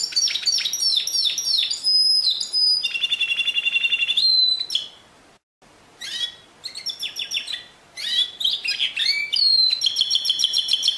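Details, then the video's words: Singing canary delivering rapid varied phrases: quick downward sweeps, a buzzy rolling trill and clear held whistles, a short pause near the middle, then more fast trills and sweeping notes. "Chant Canari Pur 2016"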